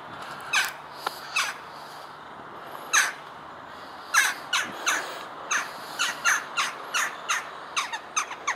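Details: A noisy baby jackdaw pestering tourists at Dartmouth, Devon, by the water with boats, gives harsh, raspy chak calls, about a dozen in irregular bursts every half second to a second, over a faint steady background hum.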